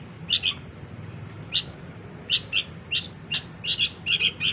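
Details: Sooty-headed bulbul chick calling for its parents: scattered short, rasping chirps, a pair at the start, then a pause, then quickening clusters toward the end, over quiet hum.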